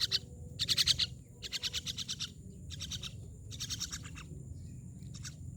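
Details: Myna uttering rough, buzzy chattering phrases, several rapid pulsed bursts roughly every half second, loudest at the start, then fading, over a quiet low hum.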